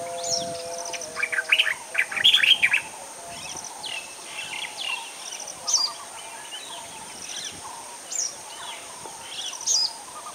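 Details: In Sri Lanka, a White-browed bulbul gives a burst of loud, jumbled chattering notes, among scattered high chirps from other birds and a steady high insect-like hiss.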